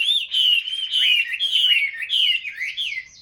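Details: Caged Chinese hwamei, song style 'ngũ trường cao cầu', giving loud, rich, flowing whistles that rise and fall in quick connected phrases about every half second.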